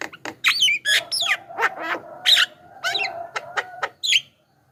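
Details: Varied Javan myna song used as a lure for wild birds: scratchy squawks, bent whistles and chirps in an uneven run, over a faint steady hum, then silence.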